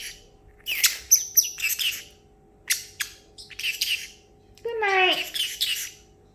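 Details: A male parrotlet, excited after treats and almonds, imitates running water (a shower): quick bursts of hissy, splashy chirps with sharp squeaks and one falling squawk, in uneven clusters.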